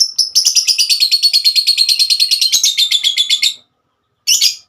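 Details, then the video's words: Female lovebird giving the long ngekek trill used to call its companions: a rapid, even run of high buzzy notes for over three seconds, slowly falling in pitch, then a brief pause and a short burst. "Kicauan burung Lovebird"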